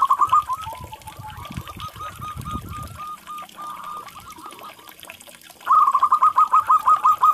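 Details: Local zebra dove song used to coax stressed, silent doves into calling: a fading run of soft repeated cooing notes, then a loud, evenly spaced rapid series of coos, with low rumbling noise in the first seconds.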